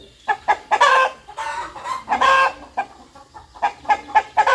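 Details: Rooster clucking in a farmyard: rapid, rhythmic bursts of short, harsh clucks, with several louder grouped notes and brief pauses between them, clear and close.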